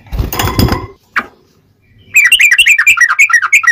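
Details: Yellow-vented bulbul song, ngobra masteran style, recorded as a lure for trapping wild birds: after a burst of broadband noise and a lone note, a fast run of sharp clear notes repeats about three times a second.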